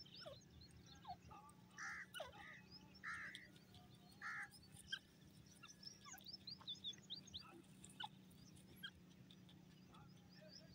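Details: Grey francolin calling in forest. Harsh, loud notes repeat about once a second, set among many thin chirps from other birds and a steady low hum.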